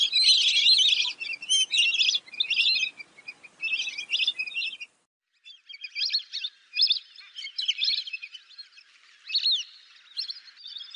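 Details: Lesser whistling duck calls: dense runs of sharp, high whistled notes, loud at first, a short silence midway, then further clipped whistles, some sliding downward, repeated irregularly.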